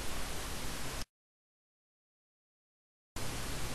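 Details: Hissing static noise that cuts to two seconds of dead silence, then resumes, with no bird heard.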